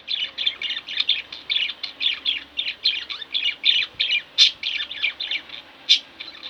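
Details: Pet budgerigars kept indoors, chattering steadily: dense rapid bursts of bright scratchy chirps about three to five per second, with a couple of sharper high squeaks standing out near the end.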